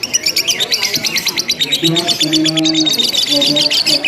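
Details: Simulated lovebird singing contest, nonstop ngekek chatter: rapid shrill ticking notes repeated about three per second, with a lower droning voice or hum entering partway through.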